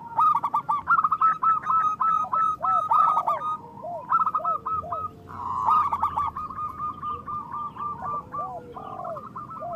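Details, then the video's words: Several local zebra doves in strong song, used as a lure so reluctant doves start singing; rapid trains of clipped, rolling coos repeated about four per second, broken by short pauses, over faint hiss. "Perkutut lokal gacor Suara Besar Pancingan Perkutut Cepat Bunyi Gacor"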